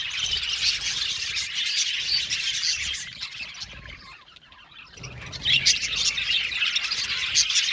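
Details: Budgerigar colony in an aviary chirping: busy, overlapping high twittering and squawky chirps that fade briefly in the middle, then return louder with sharp tweets.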